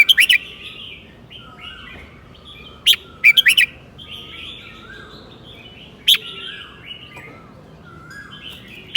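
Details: A red-whiskered bulbul teacher bird, golden-voiced, delivers spaced phrases of its southern 'mae bot tai' song: short bursts of rapid bright whistled notes every few seconds, separated by low soft warbling.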